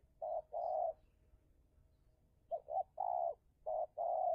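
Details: Spotted dove used to lure and take down a wild dove in an intense contest: a short coo then a long purring coo, a pause of over a second, then a quick double coo, a long coo, and another short-long pair. The surroundings are quiet.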